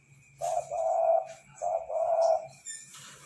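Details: Spotted dove singing actively: two mellow, low cooing phrases, each a short note followed by a longer drawn-out coo, with a faint steady high tone in the background.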